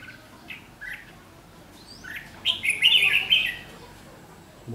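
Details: Red-whiskered bulbul decoy in a trap, 7 July 2016, singing a fighting song; scattered soft notes early, then a loud, rapid warbling phrase of bright slurred notes.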